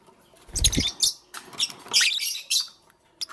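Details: Loud, harsh lovebird chirps in the morning, with grating high squeaks in a quick string and a dull low thump near the start.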